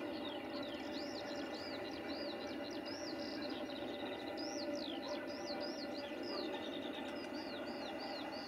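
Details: Eurasian skylark trilling on an early-spring morning in a Polish village, pouring out a rapid, continuous stream of high chirps, slurs and trills over a steady broad background rumble; village dogs are heard around the recording.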